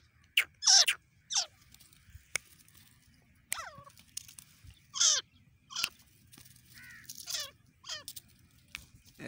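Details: Female grey francolin (teetar) recorded for hunting: harsh, rasping calls that sweep downward with stacked harmonics. About nine separate bursts over nine seconds, spaced irregularly, against a quiet background.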